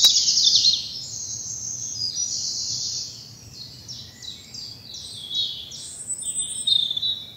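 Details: Birds singing on a spring morning in a bluebell wood in southern England; a strong high trill opens, followed by a run of quick falling chirps and thin whistled phrases over a soft low background hum.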